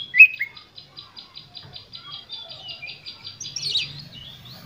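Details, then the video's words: Oriental magpie-robin lure song delivered with full emotion to provoke rival birds: one bright whistle, then a long, even series of rapid repeated ticking notes, ending in a brief harsh burst, with a faint low hum behind. "Pancingan Kacer Gacor Full Emosi"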